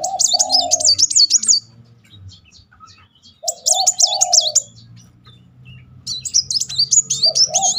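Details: Repeated 'nembak' song of a Van Hasselt's sunbird, used to draw out stalled birds. Three bursts of shrill zigzag trilling, each under two seconds, alternating with lower, rounded cooing notes.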